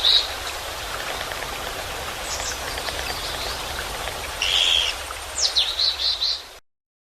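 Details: Japanese pygmy woodpecker at Yeoncheon, South Korea: one short buzzy, rasping call midway, followed by several brief high chirps, over steady hiss like running water or rain.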